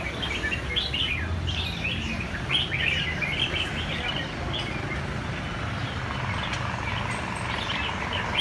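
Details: Red-whiskered bulbul song of short high chirps and tumbling warbled phrases in the first half, quieter later, over a constant low rumble of background noise.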